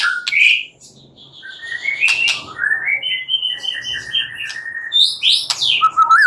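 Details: A white-rumped shama singing at night as a lure for singing: a rich whistled phrase, then a climbing series of clear notes and high sharp accents, over a soft low hum.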